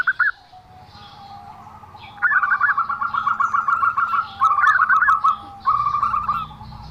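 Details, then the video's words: Zebra dove calling oddly: a couple of sharp opening notes, then extended trills of fast clipped coos in three runs, with a steady low drone in the background. "perkutut suara aneh"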